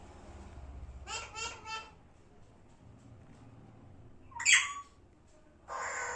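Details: Parrot utters a run of rough, buzzy, speech-like syllables, then a brief loud squawk a few seconds later, followed by a hissing rush of noise at the end.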